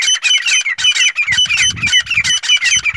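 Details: A Black francolin calling to a female repeats harsh, grating, scratchy notes about twice a second, falling in pitch, over a thin steady high whine.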